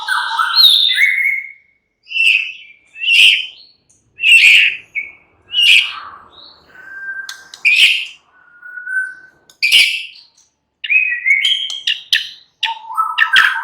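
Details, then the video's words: White-rumped shama (murai batu) singing in a relaxed, lively style: varied whistled phrases, rich clear notes and sharp chips in bursts of one to two seconds with short pauses, some long level whistles, no other sounds. "murai batu sudah ikut NYRECET GACOR dengan kicau Santai Murai batu ini"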